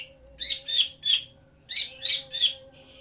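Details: Greater green leafbird calling while being paired for breeding in captivity. Two groups of three harsh, rasping notes split by a brief pause, with a thin steady tone in the background.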